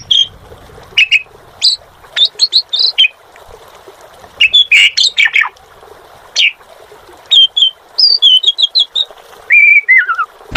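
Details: Asian pied starling in lively song (gacor): scattered bursts of clear whistles and squeaky chirps, then a descending slurred whistle phrase near the end, against a quiet background.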